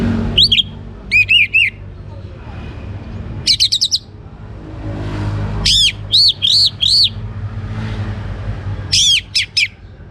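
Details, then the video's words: Young orange-headed thrush in full song, used to lure other birds into singing, from northern Bali: short bursts of high, bright, rapidly repeated arching whistles separated by pauses of one to two seconds, over low background hum. "ANIS MERAH Muda Gacor Untuk Pemancing Burung Berani Berkicau"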